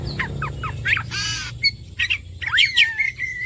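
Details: Oriental magpie-robin song, used as bait to prompt singing: quick choppy notes, a harsh rasping burst, then a bright warbled phrase ending in a long level whistle.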